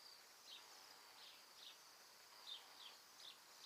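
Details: Flock of about a hundred Bohemian Waxwings feeding on fallen mountain ash berries in an Alberta yard during winter migration from the Arctic; thin, high, buzzy trills overlap in a steady chorus, with brief downslurred notes every half second or so.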